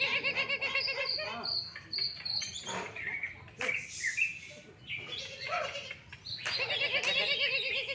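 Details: Champion greater green leafbird from an Indonesian songbird contest, singing fired up: quick repeated high trills and clipped notes, alternating with wavering lower warbles and short sharp bursts, busy with other birdsong around.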